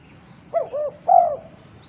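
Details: Coo phrase of a female spotted dove calling others: two quick soft notes then one sustained, fuller coo, deep and smooth against low background hiss.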